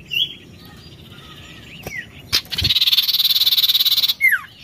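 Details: Oriental magpie-robin in narung song: a thin high whistle and curved slurred notes, a sharp click, then a long rapid pulsed buzzy rattle ending in a falling whistle.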